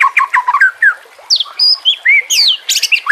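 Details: Captive-training song of a white-rumped shama, mixed with nature sounds and trickling water: a quick run of stuttering mid-pitched notes, then bright slurred whistles climbing and falling, ending in sharp high buzzy bursts.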